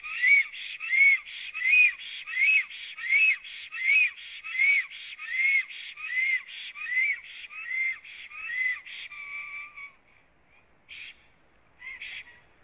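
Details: Latvian black stork singing after coming to its nest, filmed by a live nest camera at 09:31 on 26 April 2017: a regular run of hoarse, rising, whistled notes, more than a dozen, fading into scattered quiet notes.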